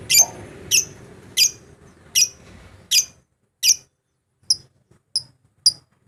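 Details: Lovebird rival-provoking calls intended to get a bird singing: nine piercing, sharp high notes about two-thirds of a second apart, fairly regular, with low background rumble fading halfway through.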